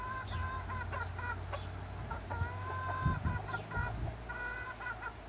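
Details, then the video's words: Chickens and roosters during summer, a hen-like series of clear, drawn, slightly falling calls alternating with short clucks, repeated through the stretch, over a low hum. "Chickens and roosters enjoying summer time - Real chicken sound effect"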